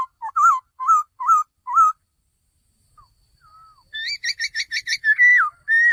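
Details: Male laughingthrush repeating four short, upslurred whistles at about one per half second, a quiet gap, then a quick burst of bright chattering notes and two long, falling whistles.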